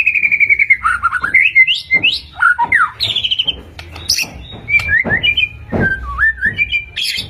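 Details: White-rumped shama pancingan song: a fast high trill, then varied whistled slurs and sharp chips in loose phrases, with faint low background noise.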